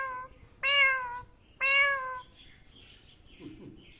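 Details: Talking rose-ringed parakeet, an Indian ringneck copying voices, gives two loud, rich meow-like calls about a second apart, each level then falling slightly, followed by faint soft chatter.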